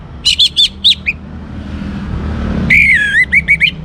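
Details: Orange-headed thrush, young, singing to get other birds singing: a string of quick bright notes, a pause, then a loud sliding whistle followed by short warbled notes.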